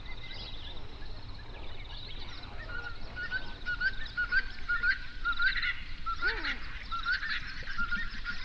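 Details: Flamingos, hundreds strong, on a lake in an Overberg national park, South Africa, recorded binaurally near sunrise. Short nasal honks repeat quickly, almost twice a second, over a softer crowd chorus, with one lower descending call near the end.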